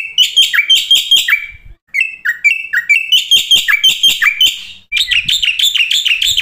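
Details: Black-winged starling from a fill-in lure recording to make starlings sing: varied phrases of rasping chatter interspersed with falling whistles, in three bursts separated by short pauses.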